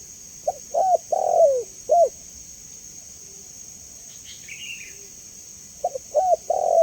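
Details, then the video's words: Spotted dove cooing, from a recording for training and luring doves: a phrase of hollow coos with one long, falling note, silence, then a new phrase starting, against a steady high hum. "Suara Jernih Burung Tekukur Paling Disukai Dan Cepat Direspon"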